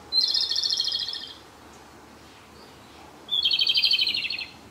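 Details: Close-range Japanese robin song in a dark woodland spot, the bird's sixth and last day at the site; two bright pulsing trills over a second long, each introduced by a high note, with a short pause between.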